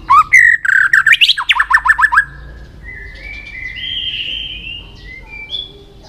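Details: White-rumped shama song meant to excite and train other shamas: a loud, fast series of sharp whistled notes climbing then steady for two seconds, followed by soft, drawn-out whistles in the background.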